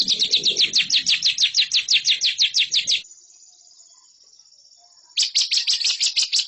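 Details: Lovebird song for schooling contest birds: fast high chirping trill for three seconds, a two-second faint hiss, then the rapid chirps resume.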